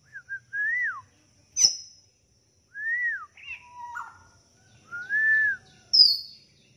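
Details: Energetic cililin song of clear whistled notes that rise and fall, mixed with sharp high chirps and a lower burry note, in phrases spaced across several seconds.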